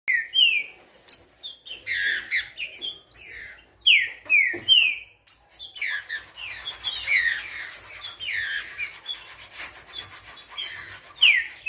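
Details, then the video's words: Green-winged saltator (trinca-ferro), described as spirited, singing a lively run of clear whistled downslurred notes and rapid chirpy phrases, with brief pauses between bursts and a steady busy pattern throughout. "TRINCA FERRO FOGOSO / TRINCA FERRO CANTANDO"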